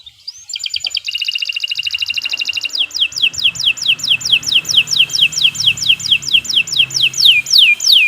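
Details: Canary in long, fast song: a rising note opens a rapid buzzing trill, then a long series of sharp down-slurred whistles repeated about three per second, clean with almost no background.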